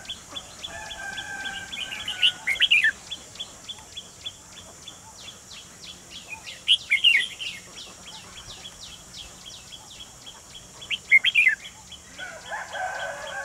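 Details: Red-whiskered bulbul decoy in a bird trap on 28 June 2020, luring a wild white-cheeked bird: three short, rich whistled phrases spaced about four seconds apart, with rapid background ticking, other faint birds and steady hiss.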